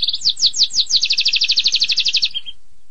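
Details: Canary delivering a 'tembakan pedas' song phrase: a few downward-sweeping notes that speed up into a quick, even, pulsing trill, ending in a short lower note and then silence.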